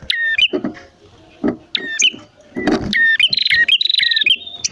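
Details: Male and female prinias singing, used as a lure to get captive prinias singing and to attract wild ones: sharp stepped chirps alternating with buzzy rattling trills, in quick bursts with short pauses and faint low rustling.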